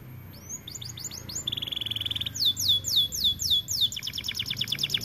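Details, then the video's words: White AF canary in vigorous song: rising chirps, a fast dry trill, a run of loud falling sweeps, then a rapid pulsed trill, over faint low background noise. "Kenari AF warna putih GACORR DORR"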